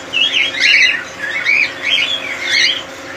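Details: Colony cockatiels giving harsh, squawking, wavering calls, four or five drawn-out notes in quick succession close to the recorder.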